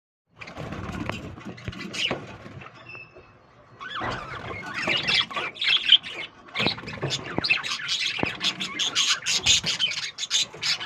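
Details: Lovebirds in a breeding colony, a busy mix of sharp high squawks and chirps that builds after a short quieter start, many birds calling over one another.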